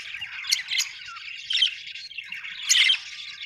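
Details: Budgerigars squawk and chatter in a dense, scratchy warble, with a loud grating squawk near the end.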